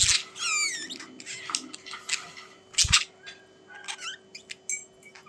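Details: Budgies producing bending whistled squeaks and buzzy chatter, with a soft thump at the start and another near three seconds, then quieter scattered chirps.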